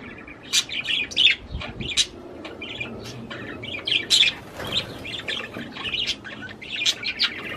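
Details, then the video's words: Budgerigar warbling to encourage a female to breed: bursts of chirpy chatter and squeaky whistles with brief pauses, a low thud midway. "تغريد طير البادجي لتحفيز الأنثى على التزاوج"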